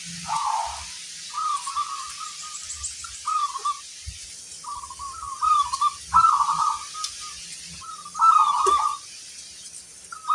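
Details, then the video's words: Local zebra dove singing actively with a big, deep 'kung' voice: soft rolling coo phrases in short bursts, repeated about every two seconds, with faint low rumbling in the background. "Perkutut lokal gacor, gayer suara kung besar"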